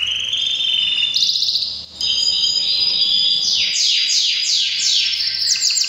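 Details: Canary in breeding season delivering a powerful song: sustained buzzy rolls, a brief pause, then a series of quick descending sweeping notes repeated in rapid succession.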